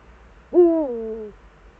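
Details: Single Eurasian eagle-owl hoot from the Eifel, 4 February 2014, between 7:27 and 7:46: a strong, low, drawn-out note that starts firm and then slowly falls away in the quiet.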